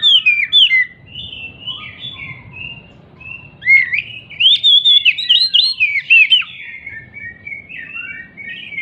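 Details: Oriental magpie-robin, agitated and jumping, singing as a lure for magpie-robins that have stopped singing. Loud, varied whistled song with twisting, slurred notes, steady held whistles between the bursts, and a dense run of rapid phrases in the middle.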